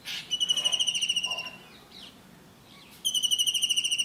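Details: Blue kingfisher in India giving a high, shrill trill of rapid whistled notes that lasts over a second, fades into a quiet gap, then starts again strongly. Faint background hiss.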